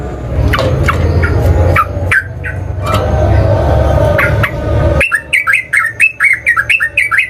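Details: Sooty-headed bulbul song used to provoke other birds into answering, described as a fighting song; a run of quick, rising, sharp chirped notes repeated about twice per second after a loud, noisy stretch of strong low rumble.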